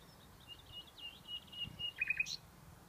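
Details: A Common nightingale sings softly in the afternoon sun on 23 May 2015: a run of thin, high repeated notes, then a quick burst of sharper chirps, over a low background rumble.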